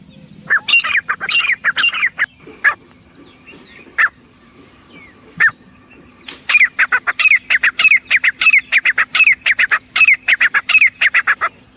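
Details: Grey Francolin (teetar): a few scattered harsh notes at first, then a steady run of loud grating calls repeated more than once a second over faint background hum.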